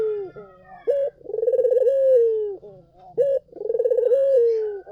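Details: Collared dove (puter) singing vigorously, used as a lure to draw other doves to answer: a short low coo, then a rolling pulsed coo sliding into a long, smooth, falling note, repeated about every two and a half seconds.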